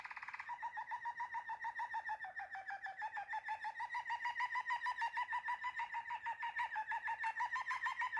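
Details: Waterslager canary delivering a long, continuous, deep, bubbling roll, pulsing rapidly and steadily for about eight seconds with a slight dip in pitch midway.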